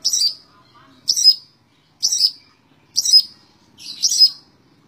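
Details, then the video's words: Five short, harsh, high notes from a long-tailed shrike, spaced roughly one per second, from a 'tembak ngebren' continuous song. "Burung cendet tembak ngebren"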